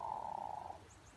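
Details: Hooded merganser in courtship display, with a frog-like voice: a short, low, rattling purr of under a second that trails off, heard over quiet background noise.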